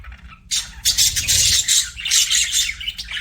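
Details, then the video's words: After half a second of near quiet, pet budgerigars break into loud, scratchy chattering with sharp high chirps and warbles that run unbroken to the end. "BUDGIE CHIRPING SOUNDS"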